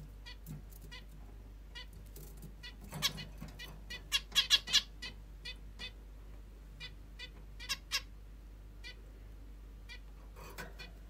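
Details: Morning calls from a pet female zebra finch: a long run of short, nasal, trumpet-like beeps, with a louder burst of five or six in the middle, then sparser single notes in a quiet indoor setting.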